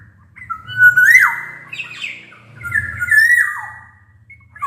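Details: Black-naped oriole song used as a lure for orioles that will not sing; two long fluted phrases with level whistles and dipping glides, over a steady low rumbling background hum.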